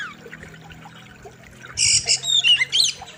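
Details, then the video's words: Oriental magpie-robin (kacer) master recording: after a quiet start, a short loud burst of buzzy notes and quick whistled slurs. "KACER SADIS & KERAS, Ultimate Wild River | Masteran Kacer Gacor Tajam Full Isian"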